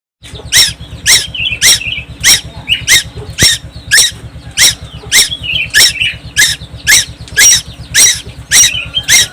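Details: Young tuwu bird from Timor Island, singing constantly: harsh, squeaky broadband notes repeated about twice a second, with softer chattering between them, over a steady low mechanical hum.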